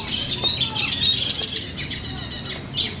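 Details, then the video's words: Long-tailed shrike performing at a bird singing competition in Manden, delivering a fast, continuous stream of scratchy, buzzy notes and thin whistles with a rhythmic, rattling quality, other competing birds faintly behind. "CENDET SUPER EDAN!! Gacor BONGKAR ISIAN."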